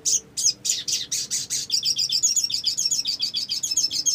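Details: Olive-backed sunbird, used as a lure to get birds singing, delivering a loud high twittering song: several spaced sharp notes, then a fast continuous run of rapid high chirps.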